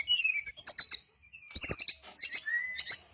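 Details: Brown-chested jungle flycatcher calling to provoke replies from other birds: a descending slurred whistle followed by quick chirp groups, repeated in three bursts with short silences between.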